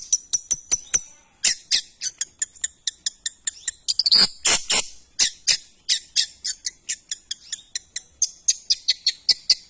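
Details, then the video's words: Shrike (cendet) giving a long run of crisp, high clicks with harsh rasping notes in the middle and faint thin whistles behind. "Suara burung cendet The sound of shrike"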